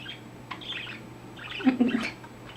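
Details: Male pet budgerigar that has recently found his voice, chatting and making funny head movements; soft scattered chirps and warbles, then a louder, denser burst of squawky chatter past the middle before fading, over a steady low hum.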